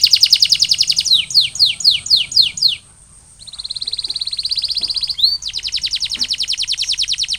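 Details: Post-molting canary song: a fast buzzy trill, then a run of six descending whistles, a brief pause, a smooth continuous high rolling trill, and another rapid repeated trill to the end.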